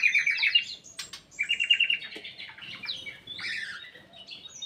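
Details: Caged black-capped bulbul in full song in an aviary, giving quick, ringing whistled trills and chattery phrases in bursts that fade toward the end.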